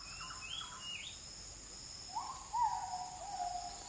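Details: Oriental magpie-robin singing in a forest: a few clear sliding whistled notes, some rising high and others lower and drawn out, over a steady high insect-like hiss.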